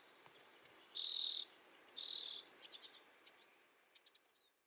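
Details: Common (mealy) redpoll recorded in the UK, where it is a winter visitor and passage migrant: two high, buzzy, half-second trills about a second apart, then a scatter of quick, thin chattering ticks.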